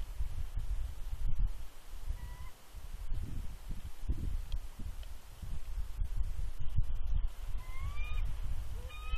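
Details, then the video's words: Warning vocals of a nesting female bald eagle at Big Bear, facing an unidentified adult eagle near the eggs, 3 February 2020: a lone thin whistled note, then a quick run of rising chirps near the end, over heavy wind buffeting. "Big Bear Eagles ~ INTRUDER ALERT!!"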